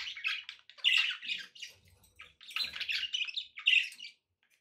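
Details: Budgerigars kept as pets, recorded with background noise for relaxation: harsh squawks and rasping, chattering phrases run almost without a break, with a few louder shrill notes standing out.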